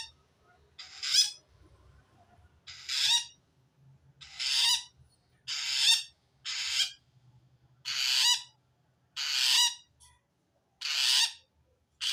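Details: Rapid series of about nine raspy, hissing screeches from a long-tailed shrike calling wild shrikes, a sound taken as a sign it feels threatened by a rival shrike; bursts come roughly every 1.3 seconds over faint low hum.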